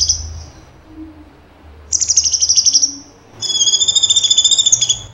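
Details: Cucak cungkok in tembakan song: short high warbling phrases, then a long trilling whistle with a strong vibrato held for well over a second.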